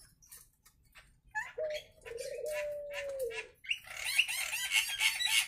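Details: Training recording of the Nias hill myna's real voice: a long, level whistled note with wavering texture, followed by a dense burst of high, chattering, squeaky notes.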